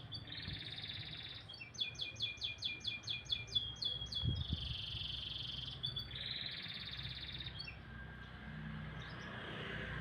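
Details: Canary singing in the morning: a held buzzy note, then a fast run of repeated chirps, then more sustained rolling trills, with low background hum throughout.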